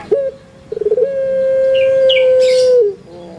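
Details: Kept Barbary dove of the puter pelung type from Java, Indonesia: a short bubbling stutter then one long, steady, low hooting note held nearly two seconds, with faint chirps of small birds behind.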